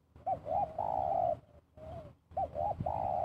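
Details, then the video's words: Spotted dove used as a lure call, giving two-part cooing phrases: a short doubled 'kuk' note then a longer drawn-out coo, repeated twice with a pause between; low hum in the background. "PIKAT TEKUKUR KUK DUA‼️"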